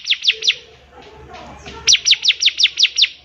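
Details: Bar-winged prinia, a song used to train young birds: three sharp chirps, a quiet gap with soft noise, then a run of seven rapid downward-slurred notes.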